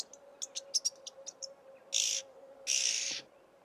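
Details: Somali jirri, an oxpecker: a quick run of thin high ticks is followed by two long rasping hisses, the second lasting over half a second, over a faint constant hum.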